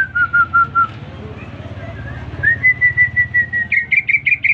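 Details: Newly purchased caged greater green leafbird singing when whistled to: a run of level whistled notes, a pause, another even series, then quick chirped notes with up-and-down inflections.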